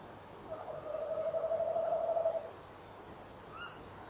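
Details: Male tawny owl delivering its rolling tremolo hoot at 06:45 on 18 November 2013, a female answering and encouraging him; a steady wavering low hoot lasts about two seconds, then a faint brief higher call follows near the end.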